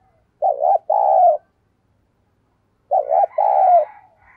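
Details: Spotted dove decoy calling with fast cooing to entice wild doves: two deep coo phrases, each a quick double wobble then a long throaty note, the second overlaid by fainter, higher rustling tones.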